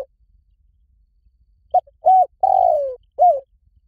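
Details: Spotted dove calling in the Liu Tan style, played to lure and train a dove to answer: a phrase of low cooing notes, short, then medium, then a long falling coo, ending with a brief arched note.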